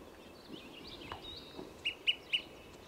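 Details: At Trujillo Meadows Campground, Conejos County, Colorado, on July 6, 2017, an olive-sided flycatcher sounds a quick series of three loud, level pip notes, with faint thin chirps from other birds before them.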